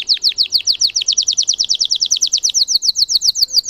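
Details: Russian canary, bred for singing, giving a steady fast trill of high chipped notes, about six per second, holding an even pitch throughout.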